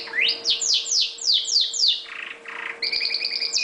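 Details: Red factor canary, a pet bird, sings a series of bright descending sweeps, two soft buzzy rasps, then a fast rattling trill on two pitches, over a low constant hum.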